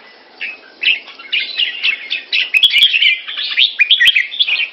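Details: Caged Red-whiskered bulbul kept in Singapore, giving its keke call on command: a rapid, chattering run of short, bright, scratchy notes building in intensity, with a few sharp clicks mixed in.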